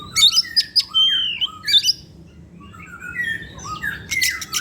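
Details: Oriental magpie-robin, a kept bird used as a lure singer in the afternoon. Loud bright chirps and whistled slides open the passage, followed by softer rising and falling whistles and a final bright burst.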